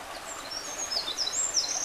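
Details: Eurasian wren singing at Kita-Karuizawa: a short, very high thin stretch of rapid notes and trills, faint against steady background hiss.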